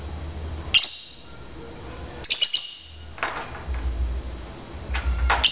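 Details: Lovebirds chirping back and forth in a contest: several short, piercing high chirps and quick clusters spread across a few seconds, with soft low hum beneath.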